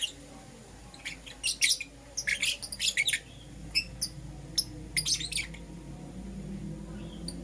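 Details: Morning lovebird calls, Euwing Green Opaline and Lutino forms: a few loud clusters of shrill chirps early on, then sparse single high tweets over a low steady hum.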